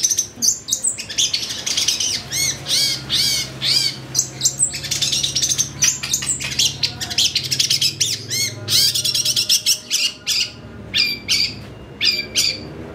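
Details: Long-tailed shrike lure to provoke excited singing, a full, varied song. Dense stream of grating, scratchy bursts and chatters follows almost without pause, over a low steady hum.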